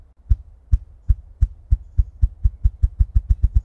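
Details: Ruffed grouse (Bonasa umbellus) drumming: about sixteen deep, muffled thumps that start slowly and speed up into a quickening roll, with nothing else heard.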